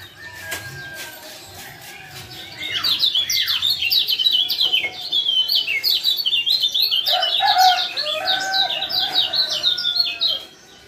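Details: Male lemon-bellied white-eye of Lombok calling to trigger song in a silent caged male: long bouts of rapid, high, zigzagging chirps, briefly pausing mid-way, with lower, fuller notes mixed in near the end.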